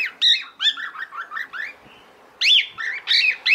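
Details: A female cockatiel calls toward the male with a shrill whistle, then a quick run of softer lower chirping notes, a short pause, and more harsh arched screeches.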